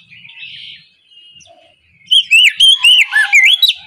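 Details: Oriental magpie-robin singing the loud, open ngeplong style in the morning, used as a lure to prompt reluctant birds to sing: quiet, soft notes at first, then a burst of loud, clear, whistled phrases with rising and falling slurs.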